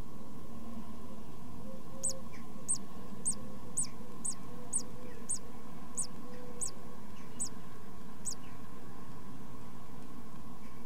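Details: Tit chicks in a nest box, first two weeks of life: silence at first, then a regular run of about eleven high, thin squeaks, with a low hum throughout.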